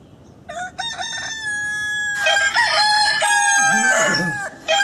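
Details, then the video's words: Roosters crow at dawn on a farm, a drawn-out harmonic crow joined by another overlapping crow, producing a dense, layered chorus of sustained notes. "Galo Cantando no Sitio ao Amanhecer - Rooster Singing Site"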